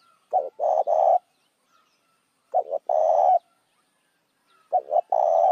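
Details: Lure call of a spotted dove used to attract other doves. Three phrases, each a quick double note followed by a long, buzzy, steady coo, spaced roughly two seconds apart in otherwise quiet surroundings.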